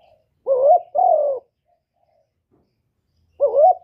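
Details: Spotted dove giving 'gáy gọi' calling coos, recorded directly without background noise. A paired coo phrase: a rising, wavering note and then a longer level one. After a pause of about two seconds, another rising coo begins.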